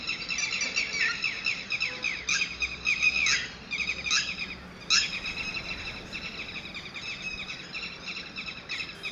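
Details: Red-wattled lapwing chicks, known locally as Titehari or Titodi, calling outdoors: high, thin, harmonic peeps repeated in quick irregular bursts, about seventy a minute, over a soft rural background hiss.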